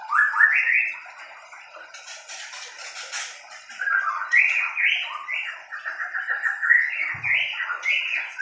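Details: White-rumped shama of the Medan type in a mini aviary during pairing: rich varied whistled phrases, rising and falling, delivered in quick runs, with a burst of harsh buzzy notes in the middle and a rapid chattering warble near the end.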